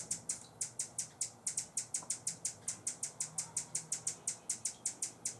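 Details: High, clicking chip notes from a Buff-bellied hummingbird defending a feeder, San Benito, Texas, October 2014, delivered in a steady fast run of roughly four to five per second with a brief gap after the opening notes.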